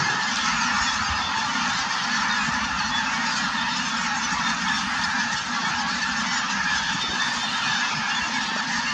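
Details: Large flock of Snow Geese, very active and in flight at Merced National Wildlife Refuge, 3/4/2018: unbroken wall of overlapping high, nasal honks with no pauses, steady in loudness throughout.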